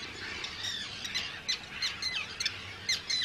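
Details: Arctic terns at a large breeding colony of hundreds of birds on Rottumerplaat, Groningen, the Netherlands, on 4 June 2023. Harsh, grating calls with quick upward and downward slurs come in rapid, overlapping bursts from several birds.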